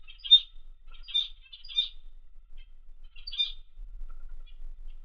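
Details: Australian zebra finch kept as a pet, relaxing in an indoor workspace, gives short, nasal, high-pitched beeping calls, some doubled, in scattered bursts of about five over five seconds, with quiet room background.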